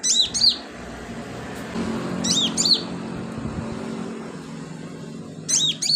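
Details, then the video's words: Sunbird in active song, used as filler for training birds: three bursts of arched, high chirping notes a few seconds apart over a continuous low murmur. "BURUNG KOLIBRI/CONIN GACOR buat isian"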